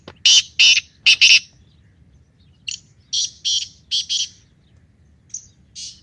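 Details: Black francolin calling in a forest in the morning: loud, harsh, grating notes in rapid groups, four strong ones first, then a softer run of clipped rasping notes after a short gap.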